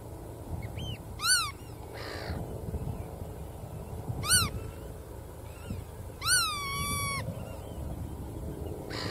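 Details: Black-tailed godwit giving three nasal, rising calls spaced about two and a half seconds apart. The last call bends into a drawn-out level tail, with fainter calls between them and a low rumble underneath.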